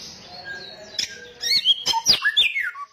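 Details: Samyong song: a faint thin whistle and soft background, then a sudden burst of sharp chips, upward-swept whistles and a falling slurred note.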